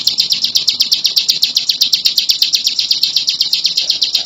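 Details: Bar-winged prinia song with sharp, high, quickly repeated notes in an even rhythm, sustained without pause from start to finish.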